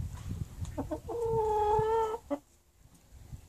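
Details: Chicken calling: a few short clucks lead into one drawn-out, clear, slightly rising tonal squawk of about a second, then a last clipped note, over low rumbling background noise.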